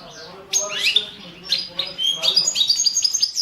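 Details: European goldfinch, subspecies balcanica, competition entry for the 2017 world championship in goldfinch song; after a quiet start come sliding chirps, then a rapid series of clear high whistled notes with a faint low hum behind.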